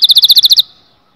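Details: Canary singing to stimulate males and females to mate: a rapid, bright trill of about nine identical high chirps, evenly spaced, lasting just over half a second, then silence.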